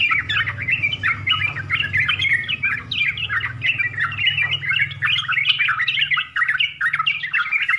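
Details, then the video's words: Yellow-vented bulbul 'full isian' song, a dense stream of chirpy, warbling phrases jumping up and down in pitch with no real breaks, over a steady low hum. "SUARA TRUCUKAN FULL ISIAN"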